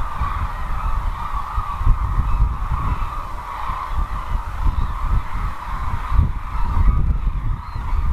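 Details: A large wintering flock of cranes at the Izumi crane arrival site in Kagoshima, Japan, keeps up a steady chorus of overlapping bugling calls that merge into one continuous din. Strong wind rumble runs underneath.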